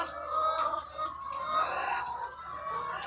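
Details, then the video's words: Egg-laying hens in their thousands on a farm, overlapping clucks with a few clearer drawn-out squawks rising above the crowd noise. "The Sound of Thousands of Egg-Laying Chickens"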